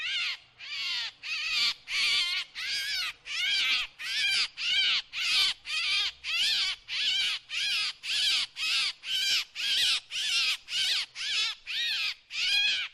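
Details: Drongo, recorded as a lure sound, giving a long run of rasping, buzzy calls, about twenty in quick succession, each short and wavering, evenly spaced and loud.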